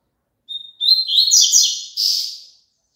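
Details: Double-collared seedeater song offered for caged birds to sing along with: a thin steady whistle, short stuttering notes, then a run of quick, twittering, buzzy trills ending in a harsher burst.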